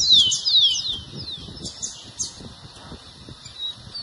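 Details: A rufous-collared sparrow, used to fire up other sparrows, sings a few clear, high whistles that slur downward in quick succession, then fades to softer notes over a faint background hiss.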